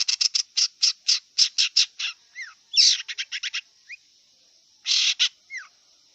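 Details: Wild long-tailed shrike opening with a rapid series of evenly spaced harsh chattering notes, then scattered rasps and short downslurred whistles, against a steady high hiss.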